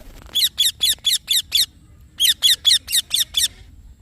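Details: Green Indian ringneck parakeet giving two even series of six shrill chirps each, notes about a fifth of a second apart, split by a brief pause.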